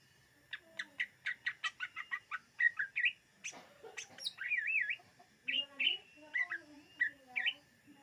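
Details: Greater green leafbird (cucak ijo) song, recorded in 2022 for luring birds: a run of quick sharp chirps, then a slurred rising and falling warble and spaced whistled notes with short tonal phrases.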